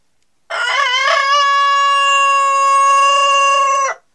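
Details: A Denizli rooster gives one powerful crow of about three and a half seconds, beginning with a rough, quavering onset before stretching into a long, level, strongly harmonic note that cuts off cleanly against a quiet background.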